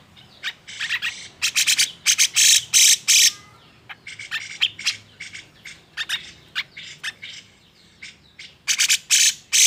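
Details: Grey-cheeked bulbul, agitated song for provoking other birds to sing: loud harsh grating bursts mixed with short chirps, then an uneven patter of sharp clicks and notes, ending in three loud rasping blasts.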